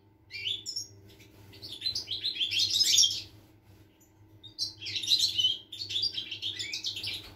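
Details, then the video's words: Recorded 25 August 2021, a European goldfinch sings long fluid runs of twittering, jingling notes and nasal buzzes, two extended phrases divided by a short gap, with a faint constant hum below. "Chardonneret , El jilguero , bird , cardellino pezzato , GOLDFINCH SONG"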